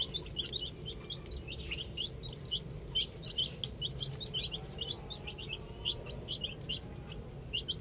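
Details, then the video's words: Chicken chicks at play with a ball: many shrill, brief peeps tumble over one another in a dense flock chatter, some louder notes standing out, over a noticeable low rumbling background. "Cute Little Chicks Chirping Sounds"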